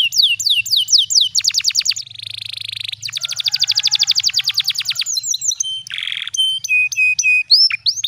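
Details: Varied canary song used as a master recording, mixing descending whistles, buzzy trills, rapid rattling note series and flat sustained whistled tones.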